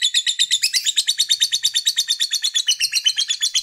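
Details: Fighter lovebird giving long ngekek to rouse rival males: a fast unbroken run of harsh, rasping high chirps, evenly pulsed about three per second throughout.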